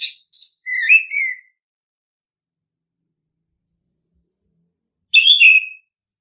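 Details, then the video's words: Orange-headed thrush song for prompting other birds to sing: a quick run of high warbled whistles falling to lower slurred notes, a long silence, then a brief squeaky phrase and a thin high note. "pancingan ampuh! punglor kembang | merangsang burung cepat gacor"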